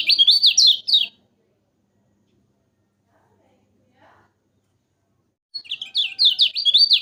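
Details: Yellow-vented bulbul training song for birds that sing little: a quick burst of high, zigzag chirping notes, a long silence, then another rapid chirping run.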